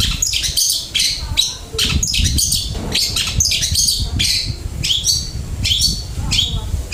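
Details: Long-tailed shrike singing a flowing, varied song: dense bursts of harsh and squeaky notes with quick mimicked phrases, nearly continuous, over low background rumble.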